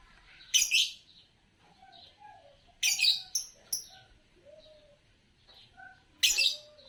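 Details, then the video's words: Green-coloured Fischer's lovebird giving three loud, raspy, high chirp bursts a few seconds apart. Thin sharp pips and softer, lower whistled notes fill the pauses. "Lovebird Chirping Sounds"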